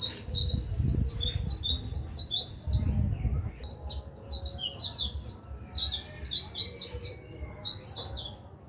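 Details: White-eye song used to tutor other songbirds: fast, continuous high warbling of quick zigzagging chirps in long bursts, with a short pause near the middle, over low thumping background noise.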